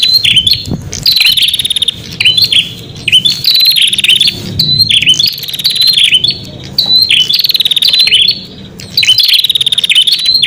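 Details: Prinia song used as a lure for wild prinias: repeated high, buzzy trills made of rapid clicks, each phrase ending in a sharp upward flick, separated by brief gaps; dull low background hum.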